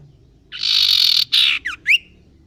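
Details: Young male common iora practising its song: a broad, buzzy, harsh note lasting about a second, briefly broken, then two quick downward-slurred whistled notes over faint low background hum.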